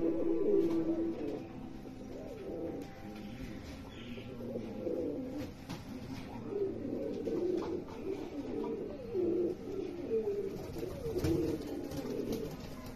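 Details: American fantail pigeons, from a group of six pairs, coo in low, throaty, rolling phrases, with several birds overlapping.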